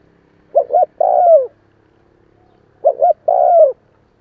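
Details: Spotted dove giving its call, used to stimulate newly caught doves: two phrases about two and a half seconds apart, short double coo then drawn-out falling coo, quiet background.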